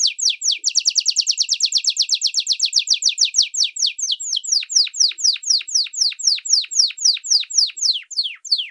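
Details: Atlantic canary song for tutoring young birds: crisp falling notes, first in a very fast run, then slowing to a clear, evenly spaced series of about four sharp downward whistles per second.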